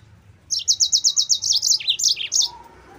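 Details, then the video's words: A yellow-fronted canary delivers lure song for training other canaries: a fast, even string of about a dozen shrill repeated notes that breaks into jumpy, up-and-down twitters before stopping. "MASTERAN BURUNG MOZAMBIK GACOR"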